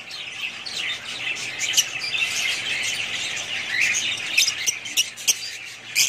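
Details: Lively high chatter from a family of budgerigars, warbled chirps overlapping continuously, with several crisp clicks and squeaks toward the end.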